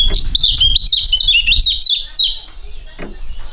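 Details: Two young songbirds of fighting type, proven at singing contests, sing in duet: loud, fast, stuttering high chirps and looping whistles over about two seconds, then softer notes, with low rumbling background noise throughout.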